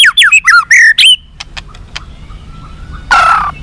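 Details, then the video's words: White-rumped shama singing, meant to make captive birds more responsive and fighting: quick falling and rising whistled notes, then faint clicks and a short harsh burst. "SUARA BURUNG MURAI BATU FIGHTER"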